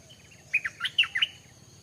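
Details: Single short phrase from a stripe-throated bulbul: five quick, warbled notes in under a second, mid-pitched and slightly burry.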